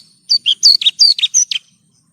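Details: Short phrase from a Horsfield's bush lark, played as training song for caged birds: about eight quick, piercing notes, several swooping downward, delivered in under two seconds on a quiet background.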